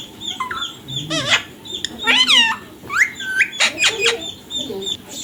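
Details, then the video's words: Ringneck parrot making harsh squawks and rising, harmonic-rich calls in loud bursts, with short sharp clicks near the end and a faint steady background hum. "Ringneck parrot #tallking mummy papa"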